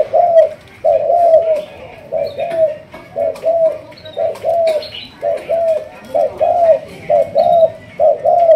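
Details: Malaysian spotted dove being trained as a decoy bird, a line known locally as the thúc gù style; short paired coos repeated steadily, each a quick note followed by a longer slurred coo, with faint chirps from other birds behind.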